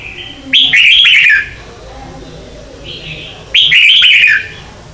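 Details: Morning contest singing of a red-whiskered bulbul, recorded as lure song for training birds: short whistled note, then a loud rolling warbled phrase, a soft high note, and a second bright phrase near the end.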